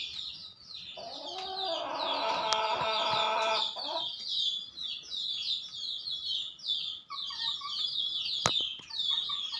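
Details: Male Ayam Ketawa chicken gives a loud, drawn-out harmonic crow that wavers up and down for about three seconds. A dense chorus of high, repeated chirps from small birds runs through the whole recording.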